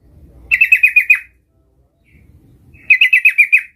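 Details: Sooty-headed bulbul, a keen singer learning the ngerol rolling song, gives two short, loud rolling bursts of about six bubbling notes each, separated by more than a second of near silence.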